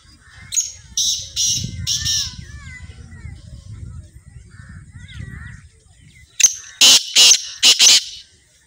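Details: Black francolin (kala teetar) calling: loud rasping broadband bursts open the sequence. Quiet human voices and soft warbling whistles of other birds follow, then a final series of four harsh, rhythmic grating notes.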